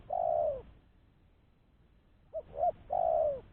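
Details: Spotted dove lure call, clean and clear: a long falling coo, a pause of about a second and a half, then the full phrase of two short notes and a long downward-sliding coo.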